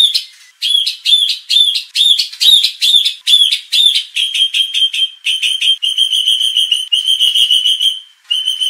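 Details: White-rumped shama provocation recording meant to fire up contest birds and train a fighting temperament. A steady series of clear, ringing, whistled notes, about two per second, ends in longer, flatter sustained tones.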